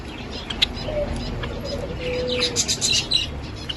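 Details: Java sparrows singing: quick high chips and clicking notes cluster toward the end, mixed with a faint low drawn whistle and soft background hiss.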